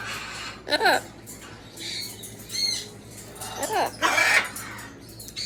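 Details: Talking Amazon parrot producing a few short, harmonic voice-like sounds and sweeping squawky syllables, separated by pauses, with a steady low background hum.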